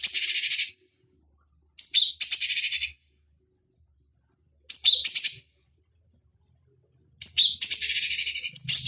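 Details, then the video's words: Cucak cungkok bulbul, recorded as training material for fighting birds: four separate bursts of high rapid chatter, each opened by a quick whistled note, with long gaps of quiet between them. "Masteran Pancingan Cucak Cungkok Ampuh Untuk Terapi Dan Masteran Burung Petarung"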